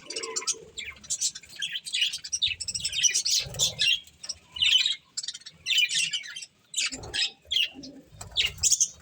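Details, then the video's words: Budgies feeding on corn chatter in quick chirpy bursts separated by brief pauses, sharp high notes mixed with raspy warbles, and dull knocking sounds at a few points. "Cute Budgies Enjoying Eating Corn | Love Birds Chirping Sounds"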